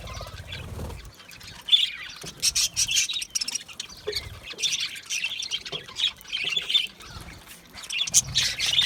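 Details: Budgerigars chattering and squawking in loud uneven bursts of harsh, scratchy chirps with brief whistled notes, after a quieter opening with a low rumble.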